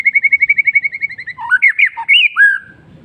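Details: Afternoon song of a White-rumped shama. A rapid run of even repeated notes gives way to loud, varied whistled phrases that swoop up and down, then a quiet low murmur at the end.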